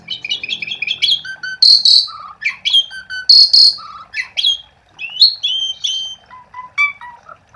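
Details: Lure song of an Asian pied starling to get other starlings to sing: rapid chattering notes open into loud buzzy bursts, clear low whistles and falling slurs, delivered continuously and varied.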